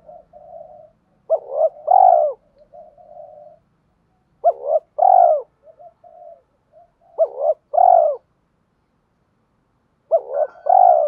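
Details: Decoy spotted dove cooing to attract wild doves in the morning: four phrases about every three seconds, each two short notes then a long mellow coo, with quiet murmuring in the gaps.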